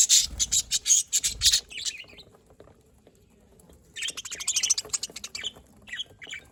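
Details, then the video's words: Budgerigars in Larkana, Sindh, 27 October 2023: loud rapid chirps and harsh squawks in a dense burst, then near silence, then another fast chattering run of chirps tapering into a few softer notes. "Budgies Parrot Can Talk Chirping Sounds"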